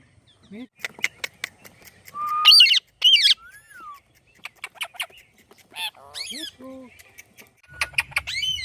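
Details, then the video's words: Parrot calling "Mithu" among a busy string of sounds: sharp ticking clicks, two loud rasping harmonic squawks, soft sliding whistles and short chirps, with a low rumble near the end. "Parrot Calling Mithu Mithu"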